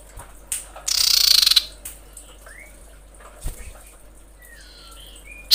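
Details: Female common iora in breeding condition calling males: a short, rasping, rapidly pulsed trill, with thin, faint whistles from other birds and a couple of knocks around it.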